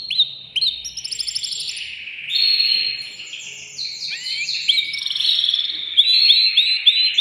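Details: Caged male canary, worked up and singing to prepare a female for mating: a varied warbling song of rolling trills and gliding whistles, with a run of looped notes near the end.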